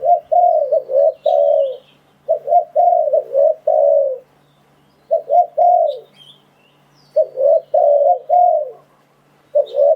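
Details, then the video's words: Decoy spotted dove calling to attract wild doves for trapping. Low, mellow coo phrases of two or three notes, each ending in a drawn-out coo, come in bursts separated by silent gaps of about a second. "Tiếng Chim Cu Gáy Dùng Để Đi Bẫy Gọi Bổi"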